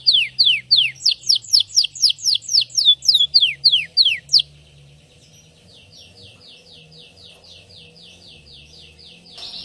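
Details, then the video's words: Belgian canary song with a sequence of loud, sharp downward-sweeping whistled notes repeated about twice a second, followed by a quieter, fast, steady trill of short notes. "Som do Canario Belga Cantando"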